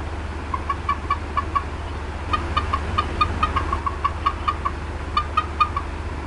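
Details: Bald eagle mother at the Decorah North nest, upset for a long time as something intruded on her area, 18 April 2016 mid-afternoon; short clucking notes in bursts of four to eight, roughly five per second, over steady low hum.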